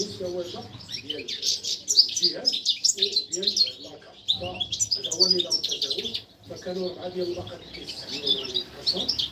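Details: A female European goldfinch in a cage calls to the male during mating. Bursts of fast, tinkling high chirps and trills come in phrases with brief gaps near four and six seconds, over softer lower warbled notes.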